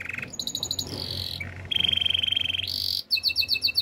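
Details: Gloster canary in song, switching quickly between tours: a short steady whistle, pulsed high notes, a long rattling trill, a rising whistle, then bouncy repeated chirps, over a low background hum.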